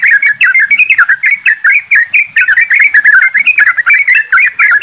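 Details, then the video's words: Many yellow-vented bulbuls chattering together in a rapid group chorus, played as a lure to make birds sing. Quick, jumbled, liquid whistled notes overlap in a steady stream throughout. "TRUCUKAN ombyokan,TRUCUKAN ROPELAN untuk bahan cepat bunyi"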